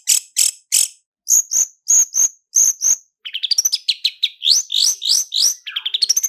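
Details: Clear long-tailed shrike lure song with full fill-ins in roll speed and roll tembak styles: paired sharp high notes repeated, then a rapid run of rising whistled slurs.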